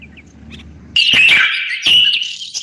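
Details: Common bulbul singing: after a second of quiet, a loud warbled phrase holds near one steady mid-high pitch, broken by sharp broadband clicks, then a second burst of the same phrase near the two-second mark.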